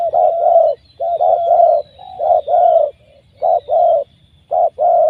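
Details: Wild spotted dove caught by trapping, calling powerfully: loud, low, hoarse cooing phrases in pairs and triplets, repeated about once a second with short pauses, over a faint low background rumble.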